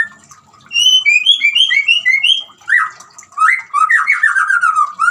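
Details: Over a background of trickling water, a white-rumped shama sings to prompt a silent bird: a run of bright, bouncing whistled notes, then lower, richer slurred phrases in quick succession.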